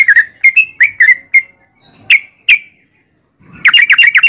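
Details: Yellow-vented bulbul in lively song: several liquid whistled notes, two lone sharp chirps after a gap, then a quick burst of rapid chattering notes.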